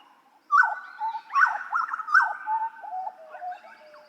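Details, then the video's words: Hooded butcherbird from Papua, in a master recording for training songbirds: loud, clear whistled phrases. Each opens with a sharp upslurred note and drops into lower fluting tones. Three phrases follow in quick succession over a quiet background. "Masteran Burung Jagal Papua Suara Asli"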